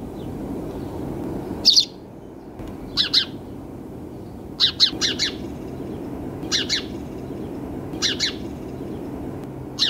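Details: Sparrows chirping in short, sharp bursts of two or three high notes roughly every one and a half seconds, over a constant low rumbling background noise.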